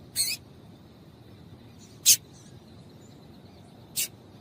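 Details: Female Double-collared seedeater calling to stimulate males to sing: three short, harsh, buzzy chips, about two seconds apart, over a faint steady hiss and low background hum.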